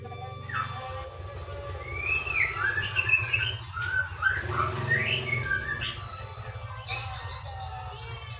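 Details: White-rumped shama singing varied whistled phrases of slurred rising and falling notes, some short and chirpy, over a loud steady low hum.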